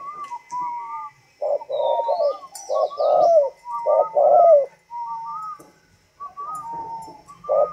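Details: Northern Vietnamese 'thunder voice' spotted dove, a tame bird, giving repeated deep cooing phrases, each a short note then a longer rolling one; high whistled tones drift between the bursts.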